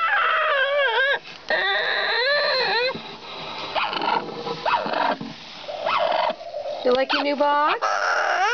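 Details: Indoor pet parrot, a male driven by nesting urges and housed in a cage with a new nest box for shredding, giving loud harsh screams with arched, harmonic-rich notes, some rising sharply, in irregular bursts over eight seconds.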